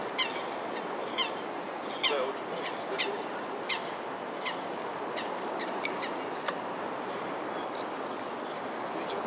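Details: Eurasian wigeon in Prague, Czech Republic, 28 January 2012, giving short high whistled calls about once a second, some rising sharply, over a steady rushing background of wind or distant traffic.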